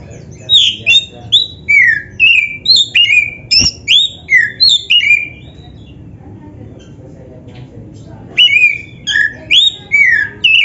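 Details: Black-breasted Oriental magpie-robin in full song, offered as training playback to get other magpie-robins singing: bursts of loud whistled, slurred notes jumping between high and mid pitch, a roughly two-second pause midway, then the phrases resume.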